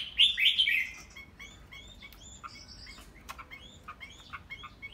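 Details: Chinese hwamei kept in a cage, starting with a loud bright warbled burst and continuing with softer repeated whistled notes and chips at an irregular rhythm.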